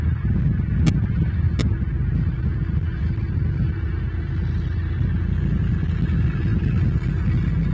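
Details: Steady low rumbling noise like distant traffic, with two sharp brief clicks early on and no animal voice.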